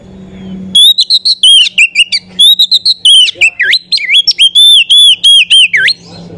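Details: Oriental magpie-robin female, a kept bird whose song serves as a lure to excite males: loud, continuous whistled phrases with rising and falling slurs and fast chips, over a steady low electrical hum.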